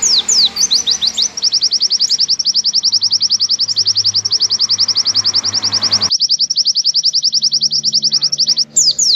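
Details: Tutoring recording of an Oriental white-eye's long, clear 'nembak' song: it opens with several quick downslurred whistles, then a sustained, very regular series of sharp high chips, about three or four a second, with a faint low hum behind.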